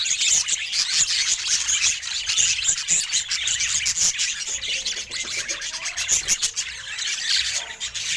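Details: Budgerigar looking happy today; lively continuous warbling of squeaky chirps and clicks, fast and tumbling throughout.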